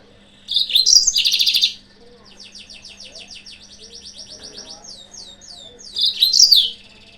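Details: Yellow-fronted canary lure song to provoke rivals: a loud twittering phrase with a dense buzzy trill, then a long string of quick repeated high swooping notes, and another bright chirping burst, faint voices beneath.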